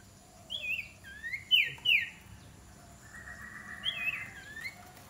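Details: Iora in training as a decoy bird utters sharp, slurred whistled notes, some rising and some falling, in loose clusters with a softer buzzy stretch between them.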